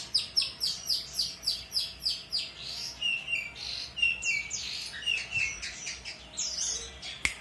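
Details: Actively singing long-tailed shrike, offered as tutor song for training other birds: a fast series of sharp, repeated chirps, about three a second, then varied twittering phrases and whistled notes.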